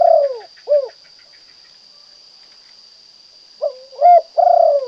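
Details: Spotted dove, kuk 2 song: the tail of one phrase with its long falling coo and short closing note, a pause of nearly three seconds, then the next phrase starting with slurred and drawn-out coos; a steady whine runs throughout.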